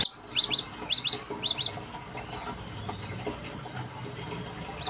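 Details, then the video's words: Gelatik batu (cinereous tit) calling for a lure recording: a fast run of about ten high, bright double chirps in the first second and a half, then near silence with one final note. "Pancingan Gelatik Batu Bahan Ombyokan"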